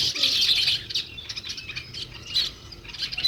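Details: Short, high sparrow chirps, loudest at the start, then softer scattered notes.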